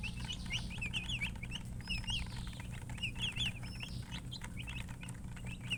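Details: Chicks chirping in lively clusters, quick high peeps often in pairs or threes, with an occasional longer thin whistle overhead and a steady low hum below.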